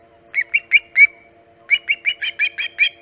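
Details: Wild osprey arriving at its Hog Island nest early on the morning of 13 August 2019, about 5:37 am EDT. Four loud, piercing chirps are followed after a short pause by a rapid run of about nine similar whistled notes.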